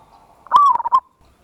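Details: Lure song of a big-voiced local zebra dove, ngayer kerot nutut style, used to raise other birds' urge to sing. One brief phrase of a steady coo is followed by rapid broken pulses.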